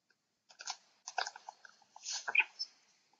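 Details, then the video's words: Black storks fighting with their beaks in Łódź on 27 July 2020: dry, rattling clicks and clatters in uneven bursts, with a louder, scraping flurry near the end and silence between bouts. "Bocian czarny - Walka na dzioby"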